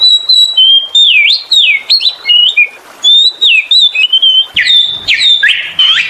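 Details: Oriental magpie-robin delivering loud, varied lure song: rich swooping whistles dipping and rising, strung in quick phrases with brief gaps, ending in sharper scratchy notes.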